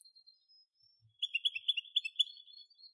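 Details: A goldfinch sings a short, rapid series of bright twittering notes after faint thin sounds.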